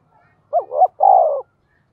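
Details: A single spotted dove phrase in the deep 'giọng thổ' style, used to provoke wild doves: two bending hoots, then a steady, slightly falling coo lasting about half a second.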